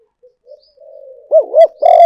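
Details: Spotted dove decoy sound: faint low cooing builds into a loud phrase at the end, two rapid arched notes then a sustained, rich coo.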